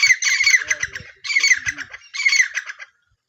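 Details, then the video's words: Francolin, known locally as teetar, giving three harsh, grating bursts of rapid squawking notes, each about a second long with short gaps between; no other sounds heard. "Teetar best sounds | Francolin call"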